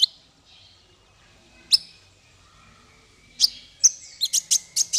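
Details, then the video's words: Singing male konin, the kolibri ninja sunbird, recorded as tutor song for songbirds: scattered thin high chirps separated by pauses, ending in a quick burst of five or six sharp, piercing high notes. "Suara konin untuk masteran burung"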